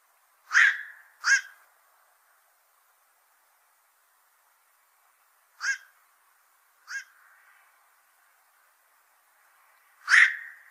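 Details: Black-crowned night heron, said to eat a lot of fish from fishponds, utters five short, hoarse barks, given as a quick pair, then two softer single notes, then one loud final call, in stillness.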